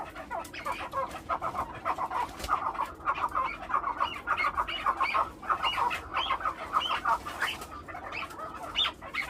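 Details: Captive farm-raised chukar partridges giving dense, overlapping chuck-like clucking notes, mid-pitched and rapidly repeated in irregular bursts, with several birds seemingly calling together throughout.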